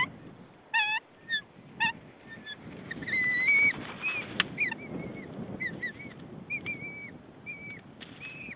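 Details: Female white-tailed eagle at her nest in Saunja, Estonia, calling her mate before he arrives to take over nesting, 15 March 2013, 16:45. A few harsh harmonic yelps, then a series of thin wavering, rising-falling calls over a low rumble of wind.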